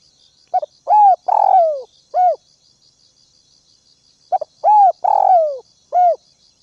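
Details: Spotted dove used as a decoy, calling to provoke wild doves: two clipped stuttering notes, a long hoarse falling coo and a short final coo, phrase repeated after about three seconds, with rapid pulsing insect chirps behind.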